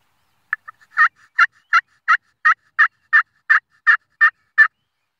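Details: Wild turkey calling in a steady run of about eleven short, raspy, nasal notes, repeated roughly every third of a second with little else audible.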